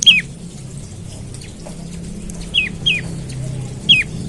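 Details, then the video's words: Morning lure call of an olive-backed tailorbird, intended to get other birds singing. Four loud, sharp, downslurred chips, one at the start and three near the end, over a low hum. "Pancingan Prenjak Lumut Pagi Hari Bikin Burung Prenjak Bahan Cepat Bunyi dan GACOR"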